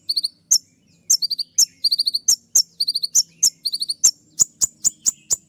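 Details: Piercing olive-backed sunbird song full of filler notes and shooting bursts. Clusters of four or five thin chirps alternate with sharp clicks, then speed up into a fast run of loud snaps near the end.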